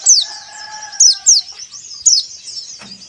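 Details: White-eye lure sound for caged birds to sing. Loud, high downslurred chips come in a quick irregular series over a continuous thin twittering warble, with faint steady lower tones in the first half.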